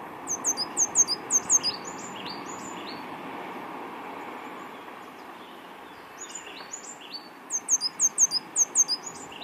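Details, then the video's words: African blue tit that survived an attack, missing an eye and a leg, singing and calling back on a windy day: bursts of rapid high, thin downslurred notes repeated in quick series, with softer notes between, over steady wind hiss. "African Blue Tit song, call and response bird chant"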